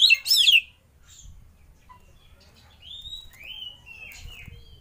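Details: Oriental magpie-robin lure song, played to prompt other birds to sing: a loud, rapid burst of sweeping high notes opens, then softer drawn-out whistles slide up and down over a faint low background rumble.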